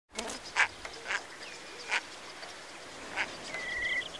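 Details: Red-breasted merganser during its acrobatic courtship display, giving four short, breathy, sneeze-like bursts about a second apart, then a thin level whistle near the end, over a soft background hiss.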